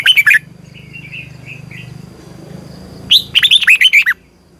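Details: Morning training song of a Red-whiskered bulbul lure bird, long double twisting style (giọng kép xoắn dài): a short warbled phrase, a pause with soft distant calls and a low hum, then a quick run of about seven looping, whistled notes.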